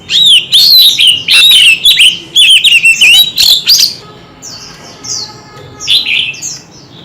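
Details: Oriental magpie-robin in a fierce singing contest with many voices. A steady rapid run of loud, rich whistles with quick slurs and chips lasts several seconds, then gives way to softer high sweeping notes.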